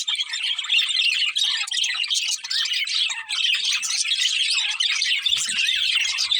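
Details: Budgerigars of a breeding pair twitter constantly, quick high chirps and warbled phrases overlapping, with a short low rustle toward the end.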